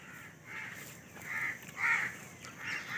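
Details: Babblers at a bird net trap, giving harsh, raspy, noisy calls in short bursts about half a second long, several overlapping through three seconds, with a soft background hiss.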